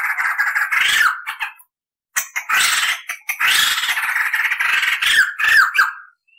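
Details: Tutor recording of a lively crested laughingthrush, known for long clear rolls and cackling: rough chattering phrases broken by brief pauses, ending in a few squeaky, sliding notes.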